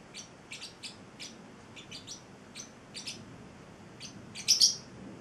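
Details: Pet male Celestial parrotlet, eight weeks old, giving a loose series of short, high, thin chirps spaced irregularly over five seconds, ending in a louder double chirp. The room is otherwise quiet.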